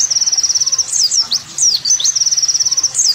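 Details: Olive-backed sunbird (kowul, kolibri wulung), tutor recording for training songbirds: a high, thin, rapid trill of tiny repeated notes, broken midway by a few sharp downslurred and rising notes, then trilling again.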